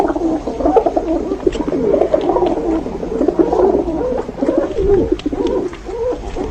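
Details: Pigeons coo in deep, throaty, wavering phrases, several birds overlapping into a continuous rumbling chorus with slight swells in volume.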